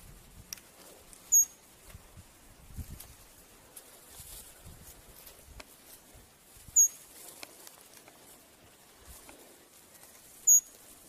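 A green-bearded helmetcrest gives three thin, very high, sharp chips, each a few seconds apart, over faint rustling and soft low thumps.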